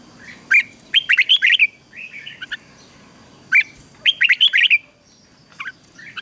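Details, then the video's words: Caged red-whiskered bulbul singing ché song for rousing other males: two matching bursts, each a sharp note followed by a fast string of bright, rich whistles, separated by softer muttered notes, over a faint constant tone. "Luyện chào mào hót căng lửa, QUÁ HAY - CHÉ KÍCH BỔI CĂNG ĐÉT"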